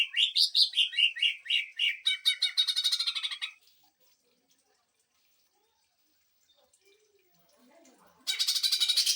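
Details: Greater green leafbird delivering rapid 'sewing machine' bursts for tutoring and provoking birds: descending sweeping whistled notes turning into a fast harsh rattle, over four seconds of silence, then a dense rattle resumes.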